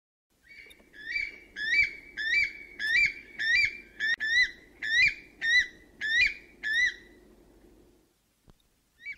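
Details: A weka, a flightless bird, gives a run of about eleven shrill, rising whistles, roughly two per second, over a low steady hum.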